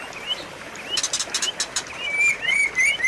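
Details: Training song of a white-rumped shama, meant to coax a quiet bird into singing: scattered rising whistles, a burst of sharp clicks, then louder, longer slurred notes toward the end.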